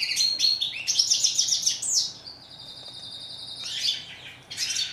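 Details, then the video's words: European goldfinch (chardonneret in French) singing quick twittering phrases that lead into a long steady buzzy trill, followed by a fresh burst of chirps. "Song of bird goldfinch"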